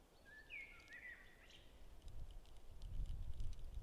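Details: A golden eagle on its second visit of the day, April 17, 2021, gives a brief series of thin, high whistled notes that slur up and down, followed by low rumbling wind noise.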